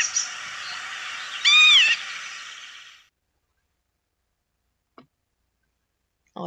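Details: A Northern Lapwing in a meadow gives a single wheezy, slurred call that rises and falls, over a steady hiss that stops abruptly, followed by a faint click.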